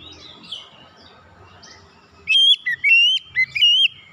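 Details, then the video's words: Oriental magpie-robin, untrained, singing loudly: a couple of seconds of soft background chatter and murmur, then a vivid phrase of clear, looping whistles that rise and fall. "terapi Kacer bahan langsung ngeplong buka paruh gacor power suara keras"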